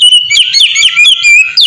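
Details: Oriental magpie-robin song used as a lure to prompt other magpie-robins to sing; loud, varied whistled phrases with rapid sliding notes and short chattering twitters, continuous throughout.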